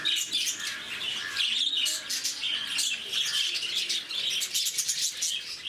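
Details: Lovebirds at Bangalore's Bannerghatta Zoo chattering noisily, a thick layer of sharp high squeaks and chirps overlapping continuously, with soft low voices faintly audible underneath.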